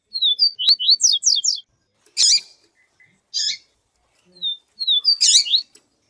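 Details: Yellow-bellied seedeater, locally papa-capim viviti, song with female calls, used to warm up a male; quick series of high whistled slurs and buzzy trilled notes, then separate short harsh bursts and thin whistles, no other sounds.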